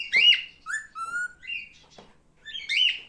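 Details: Male cockatiel at home mixing a scratchy squawk with clear, steady whistled notes, some low and flat, others higher, ending with another rising raspy call.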